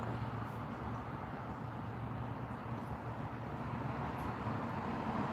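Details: Continuous roadway noise with a droning vehicle hum rises slightly in level, and no animal is heard.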